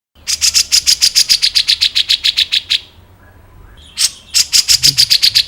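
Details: Grey-cheeked bulbul in a clear, long-running training recording for other songbirds. It gives a fast series of sharp, bright notes, about four per second, for over two seconds. A short pause follows, then a harsh burst and more rapid notes.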